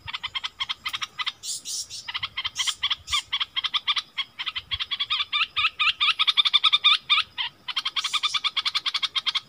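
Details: Arguing wild striated bulbuls, February 2021, pour out a rapid run of sharp chattering notes, roughly four per second, with occasional higher buzzy squeals mixed in.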